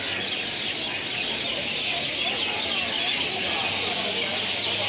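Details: Mynas gathered by the thousand in a roost tree shared with many other bird kinds, producing a continuous, thick chattering din of countless overlapping high chirps, steady in loudness throughout.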